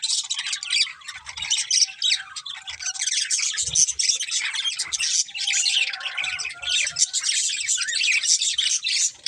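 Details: A breeding pair of budgerigars in nonstop chatter: rapid, scratchy chirps mixed with sharper squawks, dense and high throughout, with a few soft thuds.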